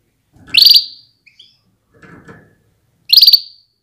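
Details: A female canary gives her call to spur males toward breeding readiness and strong singing. Two loud, harsh, buzzy notes about two and a half seconds apart, with faint scratchy sounds between.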